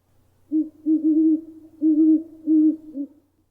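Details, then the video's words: A Great Horned Owl gives territorial advertising hoots, a series of five deep, soft hoots in a stuttering rhythm, with a faint low hum underneath. "to advertise their territories great horned owls make a familiar sound we've all heard in movies or shows the deep soft hoots"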